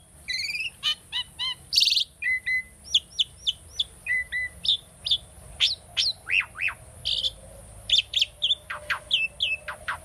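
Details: Tame caged Asian starling singing diligently for bird training, delivering a long run of sharp, high chips, short whistles and downslurred notes, one to two per second, interspersed with buzzy bursts.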